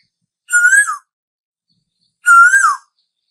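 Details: Asian koel, described as calling summer in and as the laziest bird: two clear whistled notes, each level then rising and dropping away at the end, about two seconds apart in a silent background.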